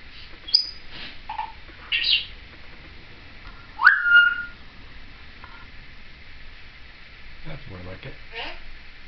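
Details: Female Timneh African grey parrot, seven years old, kept as a pet and chattering with her caregiver in 2012: scattered whistles, chirps and short speech-like squawks spread over several seconds, one loud upslurred whistle standing out midway, quiet room background.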